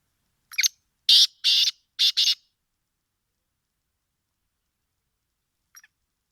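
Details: Black francolin in winter giving its call: a short scratchy note, then four strong grating notes grouped two and two, followed by silence and a faint note near the end.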